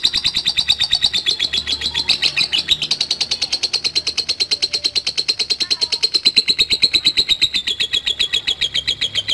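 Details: Lovebird keeping up a long 'ngekek' trill: a steady, unbroken run of rapid, buzzy high pulses lasting over nine seconds, with a faint low hum behind.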